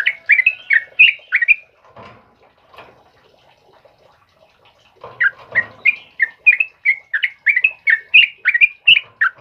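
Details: Sooty-headed bulbul of the trucukan kebo type singing in the morning: a quick series of whistled chirps, a pause of about three seconds with soft rustles, then another rapid run of bright notes.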